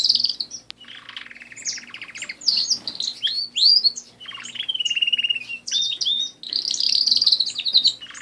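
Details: Pet canary in full song: varied phrases mixing a low rattling trill, sharp upslurred whistles, a steady mid-pitched warble, and high rolling trills, delivered almost without pause over eight seconds.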